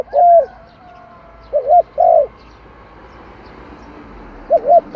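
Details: Spotted dove song with low, mellow cooing phrases of a brief note and a drawn-out one, given three times with pauses; a faint background hum runs throughout.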